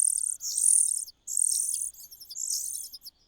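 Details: Common cuckoo nestling in a host's nest: loud, harsh, high-pitched begging squeals run almost continuously in three long bursts with brief gaps.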